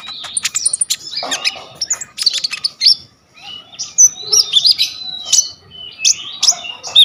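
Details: Purple-throated sunbird (kolibri ninja) in chatty full song as tutor material: high twittering phrases, drawn-out thin whistles and sharp chips, with a brief pause near the middle.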